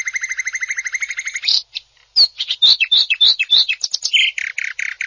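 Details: Champion cucak ijo (greater green leafbird) from a 2021 national contest, rough 'tembakan kasar' song: fast regular chattering trill, a short pause, then tumbling high whistled and buzzy phrases ending in harsh rasping notes.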